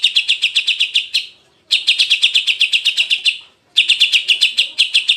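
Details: Jantrok-style cucak ijo (greater green leafbird) used as a training tutor: three fast bursts of uniform buzzy high chips, each about four per second, separated by short clean pauses.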